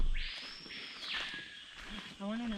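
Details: A Screaming Piha near the Suriname River gives a loud, ringing whistle that sweeps sharply upward and holds high before breaking off, followed by a person's voice.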